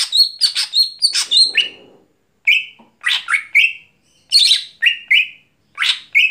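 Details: Greater green leafbird singing at night, a lively run of high squeaky and harsh notes, then repeated sweeping buzzy notes in pairs and triplets, with a brief low rustle early on.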